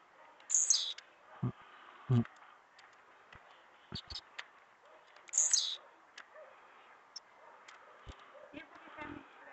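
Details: On the morning of 3 May 2021, a singing Blue-black grassquit gives two short, high, buzzy bursts about five seconds apart, over soft thumps, clicks and faint human voices.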